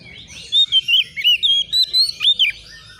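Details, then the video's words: Young white-rumped shama, agitated and answering a rival, sings a rapid run of clear whistled notes, each sliding or looping up and down, about a dozen in three seconds. "SEKETIKA ITU KACER BAKALAN LANGSUNG NYAUT EMOSI KONSLET!!!burung Kacer cari lawan"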